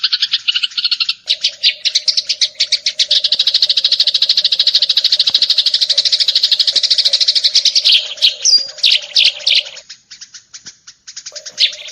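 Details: Eurasian tree sparrow chirping in 'full tembakan' style for a song tutor recording: a dense, fast, unbroken stream of high buzzy chirps building into a continuous chatter, then scattered separate chirps, over a low steady hum.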